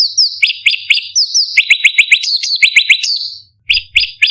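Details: Sooty-headed bulbul (cucak cungkok) singing a varied, sharp, high-pitched 'shooting' song used as a master recording to train competition birds. It delivers rapid, bright whistled notes that sweep downward, about four per second, with a short pause near the end.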